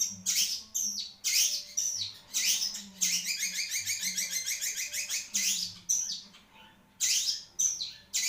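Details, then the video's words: Long-tailed shrike of the Marlboro type kept as a songbird, singing harsh scratchy phrases broken by a fast run of rapid stuttering notes, loud and continuous with brief gaps. "REVIEW CENDET MARLBORO | BURUNG SI RAJA DURASI"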